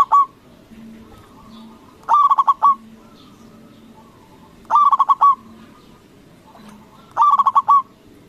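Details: Local zebra dove with a loud, big voice in steady song, used as a lure so rival doves answer at once. Four phrases of five quick, mellow coos repeat about every two and a half seconds over a faint low hum.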